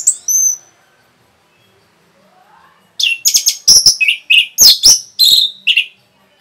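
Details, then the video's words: An orange-headed thrush delivers a brief high whistle, then after a pause bursts into a fast, loud run of sharp chipping and warbled notes, a rapid song used to excite other birds. "SUARA RAPET ANIS MERAH BIKIN EMOSI BURUNG NAIK LONCAT INDAH LANJUT NGEPLONG GACOR TELER NGOTOT"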